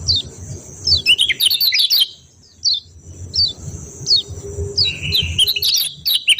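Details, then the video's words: Kecial kuning (yellow white-eye) opens with a busy spray of high squeaky twitters, pauses, gives a few isolated down-slurred chirps, then resumes an energetic, rapid twittering run with buzzy interjections. "CIAK CIAK JOSS NYEPEED KECIAL KUNING"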